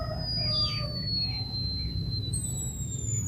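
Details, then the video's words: Java sparrow giving its long whistle: thin, drawn-out pure whistles that slide slowly downward, one long high tone starting midway, with a few soft chirps beneath and a constant low hum. "siulan panjang suara emprit kaji"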